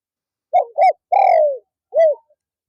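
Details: Spotted dove kept as a lure for wild doves, calling on an afternoon perch. It makes two quick hoots, a prolonged descending coo and a final short coo, all low and hollow, against near silence.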